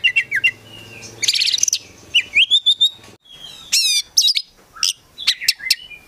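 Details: Kept Oriental magpie-robin, a prospect bird, singing a prolific song full of varied phrases: sharp high whistles, rapid scratchy trills and upslurred notes in quick, irregular bursts, with a faint low hum underneath.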